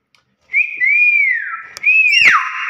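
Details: Nias hill myna whistling in loud, pure tones: a rising note, a long arched whistle, then a second arched whistle ending in a rough falling buzz, with a sharp click between phrases.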